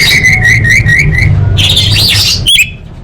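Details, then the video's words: Orange-headed thrush singing as a lure to set off caged birds. It gives a run of five quick rising whistled notes, then a harsh rasping phrase and a short sharp note, over a low humming background. "Pancingan Anis Merah Paling Efektif: Meningkatkan Gacor & Kualitas Suara Burung!"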